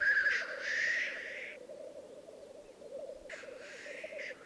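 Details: Black grouse cocks at a display arena in Italy's Piedmont Alps, 2022: low pulsing bubbling throughout, opening with a long hiss and closing with another.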